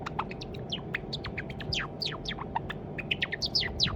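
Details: A white Java sparrow, probably male and kept indoors since a chick in October 2021, practises its song: a quick steady run of high, thin clicks and tinkling falling notes, several each second, over a low indoor hum.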